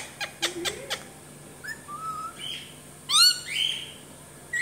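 An Alexandrine parakeet utters short, speech-like fragments mixed with whistles and a loud harsh squawk.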